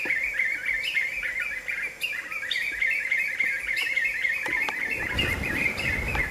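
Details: Black-fronted nunbird group chorus at the end of the afternoon, birds perched side by side: loud, continuous rolling and chattering notes from several voices at once, with some low rumbling noise in the final seconds.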